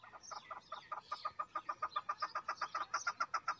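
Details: Quick, rhythmic clucking notes of a female chukar, around five a second, growing slightly louder, with faint high squeaks mixed in.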